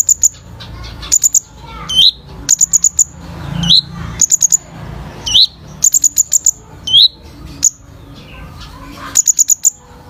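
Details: A singing kolibri ninja sunbird, used as training audio for birds, gives short runs of very high, rapid ticking notes broken by rising whistled slurs, repeated through ten seconds with brief pauses.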